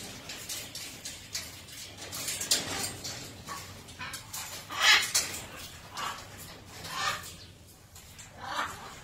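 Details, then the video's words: Lutino macaw being playful indoors, letting out a series of raspy, screechy squawks spaced a second or two apart, several louder peaks rising above softer chatter. "Playful Lutino Macaw"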